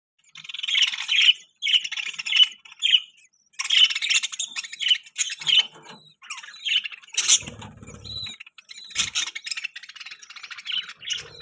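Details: Pet budgerigars chattering in a continuous, busy warble of scratchy chirps, squawky notes and short whistles, some bursts louder than others, with a brief low rumble partway through.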